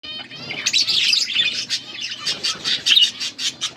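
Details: Blue budgerigars feeding each other, recorded August 13, 2024: dense chattering and squawky chirps, rapid pulsed notes building after a short quiet start and continuing in a busy stream.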